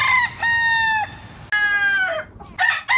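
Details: Rooster crowing in the morning: two long, loud harmonic crows, each about half a second to a second, with short clipped notes after them.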